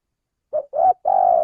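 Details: Spotted dove, tagged male, cooing for use as a trapping lure. A short note, a longer swelling one, then an extended steady coo that runs to the end. No other noise.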